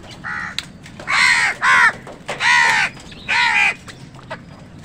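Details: Crows fighting wild birds for food give loud, harsh caws in a burst of four, each about half a second long, over a steady low background hum.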